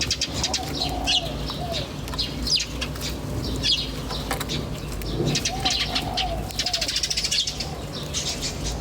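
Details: Birds chirping in nature with bright, high twittering bursts, plus a few softer, lower wavering whistled notes, set against a constant low rumbling hum.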